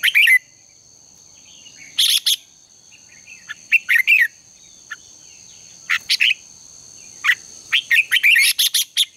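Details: Red-whiskered bulbul singing in contest style, played as a lure to train birds: short phrases of sharp chirps and quick whistles every second or two, a steady thin hum behind them.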